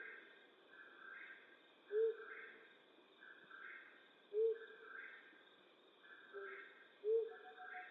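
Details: Flammulated owl in western North America hooting at night, three short low notes repeated roughly every two and a half seconds, with a continuous pulsing chorus higher up.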